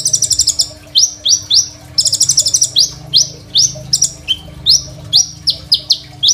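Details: Crimson sunbird singing, phone-recorded for use as a training master for other songbirds: bursts of very rapid, shrill trilled notes alternate with loud, high chipping notes delivered in quick succession, against a faint steady hum.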